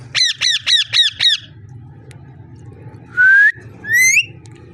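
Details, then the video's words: Ringneck parrot giving five harsh, evenly spaced squawks in quick succession, then after a pause two shorter rising screechy calls, over a low steady hum; no talking is heard. "Amazing ringneck parrot talking and voice"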